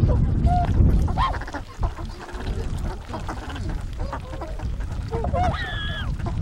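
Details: Wintering Tundra swan flock on a river in Kawajima, Saitama Prefecture, Japan, February 2017: a few soft honks early on, then a louder burst of bugling, wavering calls near the end, with low rumbling background noise.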